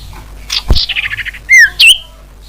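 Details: Common iora lure call for attracting wild birds: a thump, then a quick run of short buzzy chirps, then two loud clear whistled notes, the second dipping and rising again.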